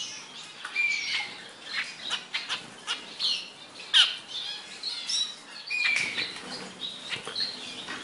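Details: Zebra finches kept with other small cage birds, trying a green rearing food paste. Short nasal chirps and squawky calls repeat irregularly and overlap, some high and clipped, with soft rustling between them.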